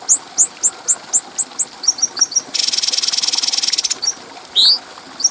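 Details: Bulbul known as cucak cungko, in a tutor recording for training other birds: a row of repeated downslurred whistled notes, short chips, a long harsh buzzing rattle, then a rising whistle.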